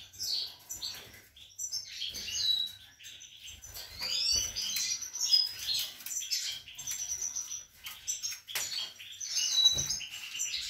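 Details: European goldfinches in a breeding cage with three grown young and a female on eggs, 28 March 2020: a long stretch of busy twittering, tinkling trills and thin whistles, with occasional clicks and rustling.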